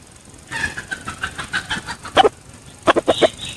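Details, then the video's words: Red junglefowl used as a decoy bird: a quick run of about a dozen soft clucking notes over one and a half seconds, then a loud harsh burst, a pause, and three or four sharp clucks closing with a thin higher note. "ไก่ต่อ เสียงไก่ต่อ ไก่ป่า"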